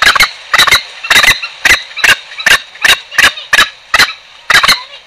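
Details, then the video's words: Green junglefowl calling as a trapping lure: loud, harsh, broadband bursts, often doubled, repeated about twice a second throughout, with no other sounds. "suara pancingan ayam hutan hijau"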